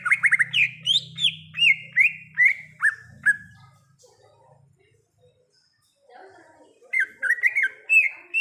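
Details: Wild greater green leafbird (cucak ijo), forest: a rapid series of descending whistled notes with a faint low hum beneath. Quiet follows for a few seconds, then whistling resumes.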